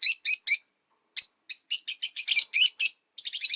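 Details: Rosy-faced lovebirds, five caged by a window, chatter in a fast, dense run of shrill overlapping chirps, briefly pausing before resuming rapid chirping.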